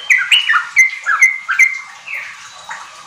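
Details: Sooty-headed bulbul (trucuk) song used as a lure for kept birds: bright whistled notes around the upper-middle range, several short falling and level phrases in quick succession, fading toward the end.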